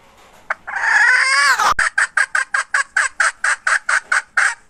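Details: Hen recorded in 2021: a drawn-out, strained note ending in a sharp break, then a steady run of about fifteen short, evenly spaced clucking notes, roughly five per second.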